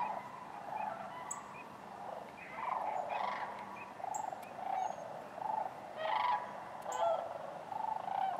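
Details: Many sandhill cranes calling together at Wheeler Wildlife Refuge, Decatur, January 12, 2013, alongside other waterfowl; overlapping rattling, trilled calls rise in loud bursts above a continuous murmur of the flock.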